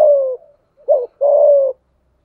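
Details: A decoy spotted dove, calling in the 'thổ sấm' style to attract wild doves during the rainy, windy season. It gives a long falling coo, a short clipped note, then a sustained level coo. All are deep and mellow.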